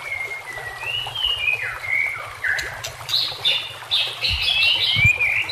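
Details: White-rumped shama song for training other shamas, over trickling water and nature sounds: long slurred whistles wavering and falling, then faster bursts of higher, buzzy twittering phrases building toward the end.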